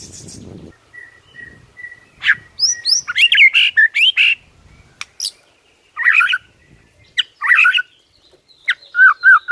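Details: Morning song of a White-rumped shama, used to rile rival birds: a varied, jumbled run of sharp chirps, high slurred whistles and short twittering bursts, broken by brief pauses.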